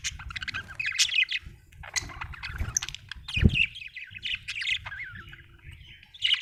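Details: Budgerigar chirping in bursts of scratchy, buzzy chatter and short squawks, with a dull thump in the middle and soft low rumble underneath.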